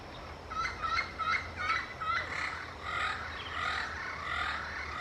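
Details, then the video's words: Yellow-fronted parrot calling to communicate with its peers: a run of harsh, ringing squawks repeated roughly once a second, then softer, drawn-out calls, over a steady low hum. "yellow-fronted parrot comes to communicate with its peers"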